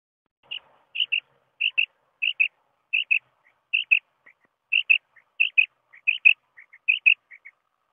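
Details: Common quail repeating bright paired notes with occasional fainter single notes between them, in a quiet setting.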